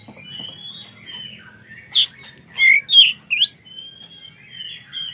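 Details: Oriental magpie-robin song used to provoke other magpie-robins into agitated singing: long thin whistled notes, then a burst of sharp varied chirps and rising whistles, fading back into sustained high whistles.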